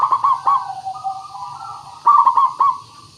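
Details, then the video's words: Zebra dove, local perkutut in lure recording to provoke singing: stuttering bubbly coos, a softer drawn-out middle coo, then another burst of rapid coos, with a low hum beneath. "Suara Pancingan Burung Perkutut Pikat Paling Bagus Supaya Bunyi"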